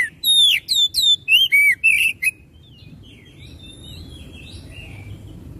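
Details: Oriental magpie-robin song played as a lure to make another bird sing loudly: a rapid string of bright, down-slurred whistles for about two seconds, then only soft distant warbling and background hiss.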